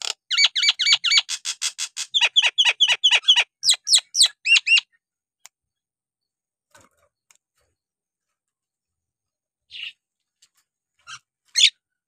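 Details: Loud song of a Nias hill myna, played as therapy to rouse lazy birds: a rapid burst of about twenty ringing, falling notes in quick succession over five seconds, then near silence broken by a few isolated harsh calls.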